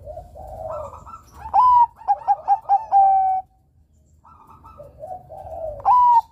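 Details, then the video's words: A Bangkok-type zebra dove (perkutut) in full song, used as a lure for young males, sings soft low coos, then a loud bright note and a quick stutter of staccato coos ending in a drawn-out one, repeated. "suara burung Perkutut bangkok Gacor"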